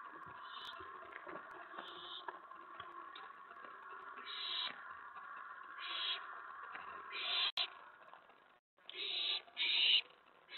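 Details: Owl begging at the nest at night during a prey delivery, 11:28 PM on May 15, 2017: harsh hissing screech bursts about a second long, repeated at irregular intervals over a steady background hum, with a brief silent gap near the end.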